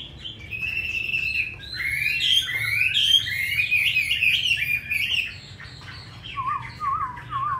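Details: Caged tame hwamei from Hanoi, Vietnam, with a forest-style voice, singing often: a run of varied, loud whistled phrases rising and falling, then lower, slurred warbling notes toward the end.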